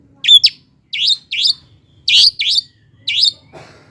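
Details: Long-tailed shrike used as a lure for reluctant singers: seven loud, harsh, rasping notes, some doubled, at irregular spacing, ending with a faint scratchy noise.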